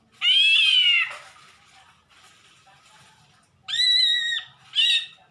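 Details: Greater green leafbird with an unusual voice: a long, loud nasal wavering note, then after a pause a flat harmonic tone and a short final burst.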